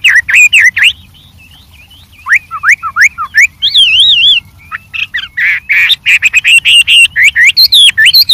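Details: White-rumped shama singing with many variations in the wild: rich whistled phrases with sweeping slides, a wavering trill in the middle, then a rapid burst of varied notes and chattering.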